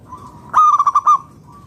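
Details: Local Indonesian zebra dove (perkutut lokal) singing vigorously, used as a lure to draw other doves into song: one loud burst of about five rapid, ringing, staccato coo notes, with faint softer cooing before and after.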